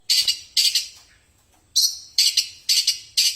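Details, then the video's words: Long-tailed shrike, a kept fighting bird, singing: bursts of harsh, buzzy, high-pitched chattering notes in short clusters, roughly two clusters a second with a brief pause midway. "Spek petarung Burung cendet asli gacor"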